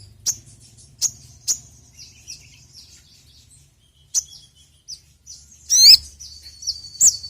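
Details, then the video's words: Sogon, a sunbird kept by songbird hobbyists, used as a lure recording: sharp, very high chirps spaced irregularly, with a brief squeaky slurred note near the end over quiet low hum. "PANCINGAN BURUNG SOGON TERAMPUH SEPANJANG MASSA..!"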